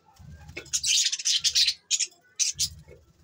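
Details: Several pet budgies chattering in dense, high, buzzy chirps grouped into three short bursts, with a faint low hum underneath.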